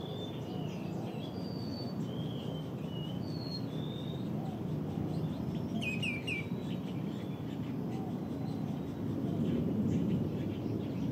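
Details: A Common greenshank (Tringa nebularia) gives a quick, ringing three-note 'tew-tew-tew' near the middle, with other thin whistles over steady low wind or traffic rumble. Recorded in April 2022 at the Las Piñas–Parañaque Critical Habitat & Ecotourism Area, Luzon, Philippines.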